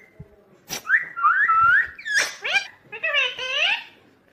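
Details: Green ringneck parrot kept as a pet indoors, producing a mix of thin rising whistles and buzzy, harmonic notes that bend upward, with a short burst of chatter and a final stacked, wavering call.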